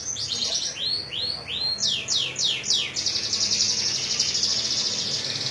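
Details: Canary song patterned after the Sunda whistling thrush, Majalengka: quick arching whistled notes in a fast run, then a sustained shrill buzzing trill filling the second half.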